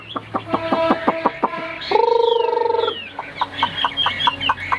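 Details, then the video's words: A white-winged, white-tailed Chinese hwamei sings high, loud, varied phrases: a quick run of repeated clear notes, a steady rattling trill of about a second, then rising and falling whistles. "Hót cao cầu l Hoạt Họa Mi"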